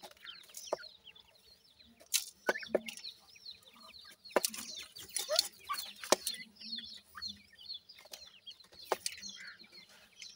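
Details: Francolin chicks, known locally as dakhni teetar, cheep in a loose chorus of short, high, falling notes, broken by loud tapping and scraping clicks, with a few louder peeps standing out.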